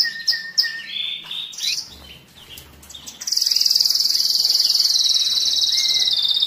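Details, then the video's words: Excited canary singing to stimulate males and prepare females for breeding: varied short chirps and slurred notes, then a long, fast, buzzy trill held at high pitch for about three seconds. "تغريد الكناري للتسميع في مرحلة القلش و الراحة"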